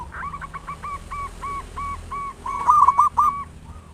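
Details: Loud local zebra dove singing a lure song that stimulates other doves to sing. Steady fast series of about ten evenly spaced soft hooked notes, then a louder cluster of three coos with clicks.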